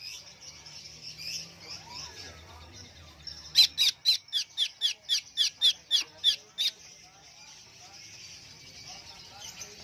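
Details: Greater green leafbird kept in a cage under a cover, singing in an excited state: soft high chatter, then a fast burst of about a dozen sharp, clipped notes at a steady pace, fading back into quiet twittering.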